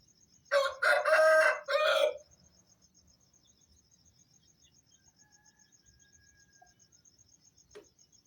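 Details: Aseel rooster crowing at dawn around 4:30 am as a morning wake-up call for prayer: one loud hoarse crow broken into three harsh segments, then quiet with a steady high cricket-like trill behind.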